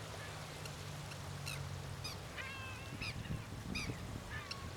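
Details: Snowy-crowned tern (Sterna trudeaui) at the Río Gallegos estuary, Santa Cruz, Argentina, recorded during monitoring on 28 October 2021, gives harsh, grating notes in quick succession with some short nasal rising calls over steady low wind rumble.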